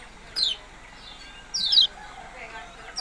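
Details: Yellow-bellied prinia giving a few high, falling chirps, one longer and buzzier, with wide gaps over about three seconds.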